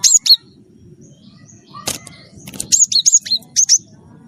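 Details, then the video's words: Gelatik batu wingko, the Java sparrow, in full lively song meant to coax other birds into singing: high, thin chirps and bell-like notes in a quick series near the end, after a brief pause and a faint rustle. "gelatik batu wingko gacor jitu buat bahan ikut gacor ampuh pancing bunyi"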